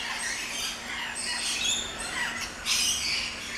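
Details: Rainbow lorikeets, many small parrots in a walk-through lory garden at an orchid farm in Luttelgeest, Netherlands: a noisy flock of overlapping harsh, high screeching squawks, steady chatter with louder bursts.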